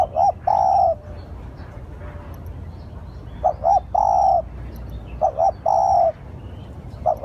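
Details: Spotted dove calling as a lure: about four cooing phrases in quick succession, each a pair of brief notes leading into a sustained, slightly falling coo.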